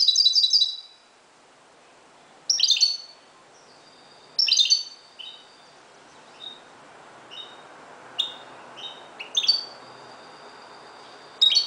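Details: Dawn song of a Moroccan goldfinch, mixing loud twittering bursts with varied thin whistles, short chips and long sustained high notes in a more continuous, rambling sequence over light hiss.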